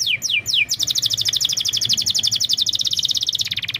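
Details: Canary song used as a lure for a bird that will not sing: three sharp downslurred whistles, then a long, very fast, steady high trill.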